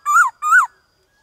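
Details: Black-throated laughingthrush singing in a varied-voice style, used to stir other birds to sing and to train young birds in a forest voice: two loud whistled notes, each rising then falling, about 0.4 seconds apart, then silence.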